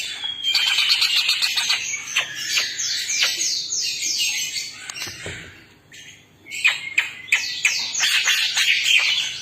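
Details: Greater green leafbirds, twelve of them, loud and chatty: rapid cascades of descending whistled slurs and sharp ticks, a brief lull midway, then renewed busy high twittering.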